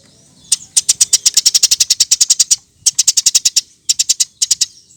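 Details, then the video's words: Eurasian tree sparrow calling energetically for bird training: a long, fast, even string of around twenty piercing chirps, then two shorter runs of similar notes after brief gaps. "Kompilasi Masteran Burung Gereja Gacor"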